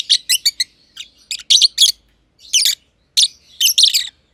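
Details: Lovebirds, green personata and green pied personata kept together in an aviary, produce scratchy high chirps in clusters, with thin drawn-out squeaks between groups and brief silences.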